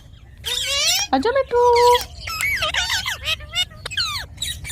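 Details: Parrot of the ringneck kind talking: rough, squawky speech-like phrases, one held level note in the middle, then a string of clipped syllables with falling inflections.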